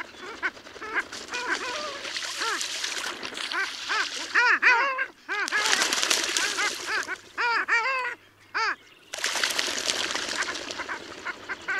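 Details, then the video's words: Long-tailed ducks at Liepāja, Latvia, in January 2024: nasal arched yodelling notes in quick overlapping runs, with several birds calling together between loud broadband bursts of rushing noise like surf. "KĀKAULIS /Clangula hyemalis/"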